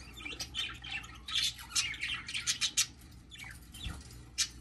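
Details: Newly hatching baby Budgerigar: a run of scratchy, buzzy high squawks in quick succession, bunched into a dense burst mid-way, then a few sparse calls and a soft thump, against a low steady hum.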